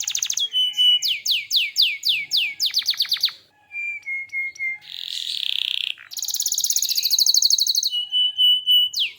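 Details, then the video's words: Energetic canary song mixing rapid repeated sweeping notes, short flat whistles, a harsh buzzy burst and a long fast high trill, then clear sustained whistles. "Suara Kicau Burung Kenari Gacor"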